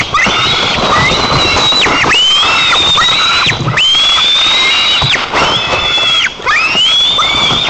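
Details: Young white-tailed eagles on a nest in Nizhnyaya Kama National Park, Tatarstan, 5 August 2024, excitedly meet their father bringing fish. Long, piercing whistles swoop up and hold steady, repeated about every one and a half seconds.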